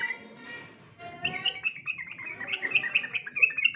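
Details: Yellow-vented bulbul song for competition training: soft opening notes, then a steady chain of bright, slurred whistles that rise and fall quickly, ending on sharper high notes.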